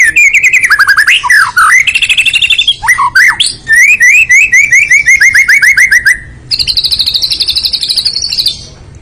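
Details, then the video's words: White-rumped shama in loud, full song: swooping whistles, then a long run of quick repeated chirps, a buzzy high trill and sharp rhythmic notes. "kicau murai batu.. fuul isiaaan"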